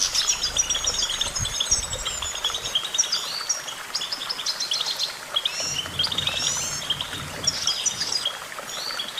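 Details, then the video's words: Continuous chattering goldfinch song of quick repeated chirps and trills, busy and overlapping throughout, with a low hum at times. "Vocal virtuoso: activating enhancing your goldfinch songbird prowess"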